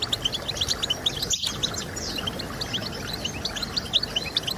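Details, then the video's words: European goldfinch singing, meant to stimulate birds to sing. Quick, high, liquid chirps pour out continuously, broken once by a brief gap, over a low background rumble. "Stimulating Birds with Goldfinch Sounds"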